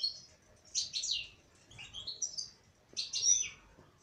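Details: Female European goldfinch twittering in three clear bursts of high, bright chirps, the middle phrase a rising, slurred whistle.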